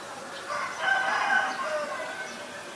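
An Asian barred owlet gives a harsh, rich-toned chattering call that swells and holds for about two seconds, mid-pitched over a quiet background.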